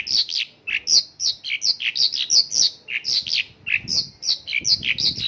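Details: Mongolian lark singing in the "isian lokalan" style, its song filled with local bird phrases: a dense, fast run of bright chirps and short slurred whistles, some rising and some falling, packed one after another with hardly a pause.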